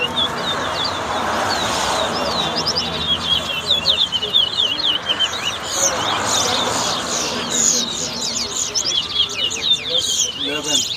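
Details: Lesser seed finch, known locally as towa towa, singing in a whistling competition at the West Side bird ground, Guyana. Rapid high whistled notes rise and fall in quick runs over a steady murmur of crowd voices.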